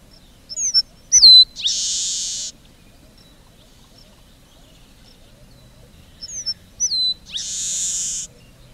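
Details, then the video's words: A Red-breasted meadowlark (Leistes militaris) sings twice, about six seconds apart: a few thin high notes and a sharp down-slurred whistle, ending in a long harsh buzz. "Canto do Polícia Inglesa do Norte / Leistes Militaris"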